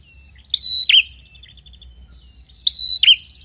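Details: Red-headed prinia recorded as a lure to get silent prinias singing: two loud phrases of a bright sustained whistle ending in a lower buzzy drop, with faint soft trills in between.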